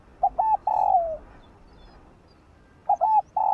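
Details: Spotted dove singing in the morning, a song used to stimulate newly caught doves. Two short clipped coos, then a long mellow note sliding downward; after a quiet pause the same phrase begins again. Quiet background.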